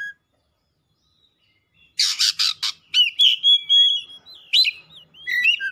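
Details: After a quiet start, an Oriental magpie-robin bursts into three rough buzzy notes, then a chain of clear whistles, quick chirps and downslurred notes.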